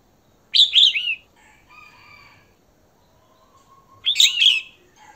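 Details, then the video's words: Female red-whiskered bulbul calling to a male: a rich warbling burst of slurred whistles, a soft layered buzzy tone, then a second warbled burst after a gap. "Chào Mào Mái Hót Kích Trống"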